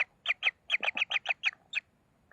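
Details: Common kingfisher chicks at the nest being fed: a short burst of about ten harsh, high, clipped notes in quick uneven succession, then a pause, over quiet background.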